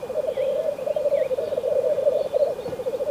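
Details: Black grouse bubbling continuously in a frosty landscape, a low warbling coo with a throbbing rhythm, plus a few faint dipping higher calls early on.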